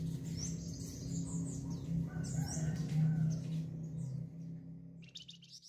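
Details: Flamboyan bird singing: high, slurred whistled notes in a fast string early on, then a brief burst of buzzy high notes at the end, with low humming throughout.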